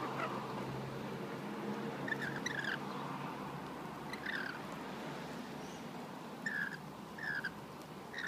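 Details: Rainbow lorikeets being hand-fed on a balcony in Australia give short, harsh, grating screeches in scattered pairs and bursts over a steady hiss of background noise.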